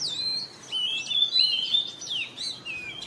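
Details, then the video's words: Morning song of an Oriental magpie-robin, used to coax pet birds into singing: sweeping slurred whistles, some rising and some falling, given in quick succession over a soft hiss. "TERAPI KACER BIKIN RAMAI OCEHAN DI PAGI HARI"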